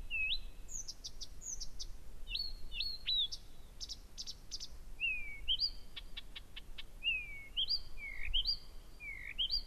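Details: Blyth's reed warbler in persistent, very powerful night song at 01:00, 15 June 2014, Gerå Engvej, Denmark; varied whistled phrases with sliding and hooked notes, each repeated two or three times, mixed with sharp clicks and buzzy bursts.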